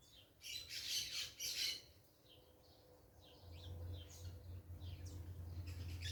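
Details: Parakeets making noise in a natural setting: two loud bursts of harsh squawking in the first two seconds, then scattered fainter chirps over a rising low hum.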